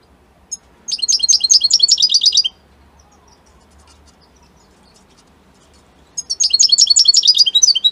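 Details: Italian goldfinch delivering two long phrases of fast, high, metallic twittering, each about a second and a half, separated by several seconds of quiet.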